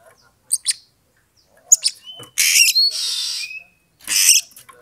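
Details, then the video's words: Oriental magpie-robin (kacer) song meant to goad a rival into fighting. A few sharp chips, then loud rasping buzzes with thin whistles laid over them and a short rising whistle, ending in another harsh burst. "pancingan kacer EMOSI NAIK PELAN - PELAN"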